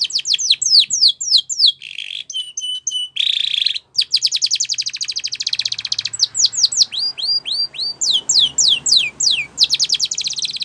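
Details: A Spanish Timbrado canary sings a long training phrase: chains of quick downslurred notes, a buzzy roll, a dense rattling trill, then looping whistled notes repeated rapidly before another trill.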